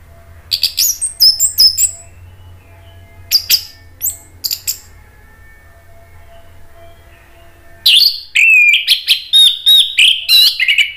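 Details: Orange-headed thrush in energetic song, played to make other thrushes answer: spaced sharp chattering and whistled phrases, then after a four-second pause a long continuous outpouring of varied, rapid, mimicking-like notes.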